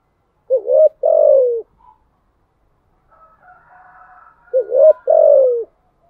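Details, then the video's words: Two low thúc gù phrases from a spotted dove, each a quick wavering double note followed by a sustained, gently falling coo. A faint, higher drawn-out sound fills the gap between them. "Tiếng chim cu gáy bài bản THÚC GÙ"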